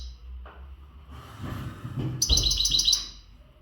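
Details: Untutored European goldfinch of the western type, a caged male in breeding-readiness condition, gives a brief burst of high, rapid twittering notes after a stretch of low background rumble.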